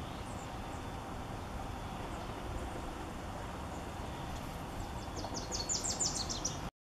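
A Wilson's warbler gives a quick, high chattering run of chips, about a dozen notes in a second, over a steady low rumble of background noise.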